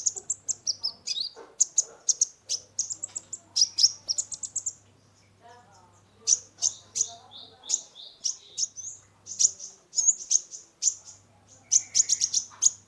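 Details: Lure song of a brown-throated sunbird (kolibri ninja) played to stressed caged birds: long runs of quick, high, sharp chirps and trills with a short pause near the middle and a faint background hum.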